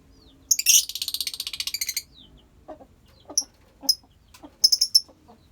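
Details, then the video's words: Colony of lovebirds: a rapid stuttering burst of harsh high chatter for over a second, then scattered shorter squeaks and lower clicks, ending with a cluster of shrill chirps. "Love bird koloni bagus buat terapi love bird"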